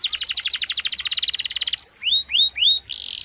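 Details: Canary singing for use as a tutor for other songbirds: a rapid rolling trill of about twenty notes, then three clear upslurred whistles and a short buzzy ending.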